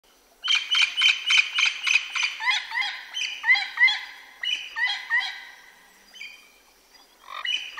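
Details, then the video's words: Wild parrots in a South American jungle give a rapid run of harsh, harmonic squawks, about three or four a second at first. Later the notes come in looser, uneven bursts and fade with brief pauses. "Parrot Sounds in the Wild"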